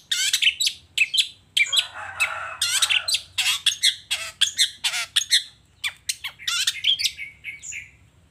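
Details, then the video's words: Scratchy, squawking phrases pour out from a long-tailed shrike singing lively in the morning and displaying its material: rough, noisy bursts mixed with rapid, high, clipped notes, nearly continuous throughout. "Suara Cendet Gacor Di Pagi Hari Toet Toet Bongkar Materi"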